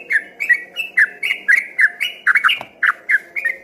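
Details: A yellow-vented bulbul in full song, in the 'ropel' style, earlier mistaken from a distance for a straw-headed bulbul; bubbly, liquid notes slurring downward, delivered in a brisk, evenly spaced series.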